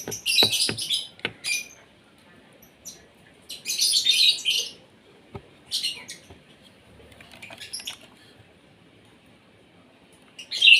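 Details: Asian pied starling fed in the morning to sing actively; several short bursts of scratchy, buzzy chatter separated by pauses, with sharp clicks and knocks in between.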